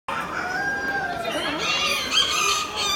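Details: Miniature roosters at the Expo "yekas" show on 20 October 2019. A hoarse, drawn-out crow glides down and then levels off, with other crowing birds overlapping and a murmur of people in the background.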